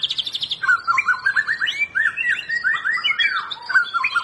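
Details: White-rumped shama singing, used to coax a silent bird into song: begins with a rapid high trill, then continuous chattering phrases of quick slurred whistles rising and falling without a break.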